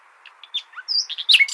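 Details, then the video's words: Common nightingale song played to teach goldfinches: a brief phrase of soft scattered chirps, a high clear whistle, then bright slurred notes that rise in loudness. "تغريد جميل للعندليب لتحفيظ طيور الحسون"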